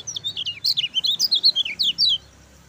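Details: Lemon-bellied white-eye, gacor bird, song used as a master to make lazy white-eyes sing: a fast, continuous string of high descending and zigzag chirps, around sixteen notes in two seconds, ending abruptly.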